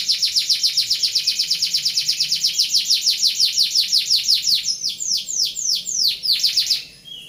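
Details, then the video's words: Rolling 'ngeroll' canary song used for training other birds: a fast, very high pulsing trill that slows into separate sharp downslurred notes, then ends on a short whistled note. "Suara Burung Kenari Ngeroll Cocok untuk Masteran"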